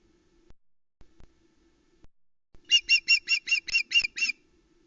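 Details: At a Loch Arkaig nest cam in August, an osprey calls around a fish delivery: eight quick, piercing chirps in a tight run lasting under two seconds, after faint clicks and taps on the nest.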